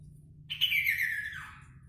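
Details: Kaso-kaso bird singing actively, giving a single clear whistled note that starts high and slides steadily downward over about a second, over a low steady hum.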